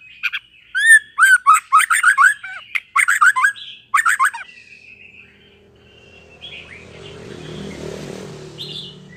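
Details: Young white-rumped shama, just past the spotted juvenile stage, used to stimulate young shamas to learn sounds: a quick run of harsh, chattering chirps over about three seconds, then soft faint notes and low background rumble.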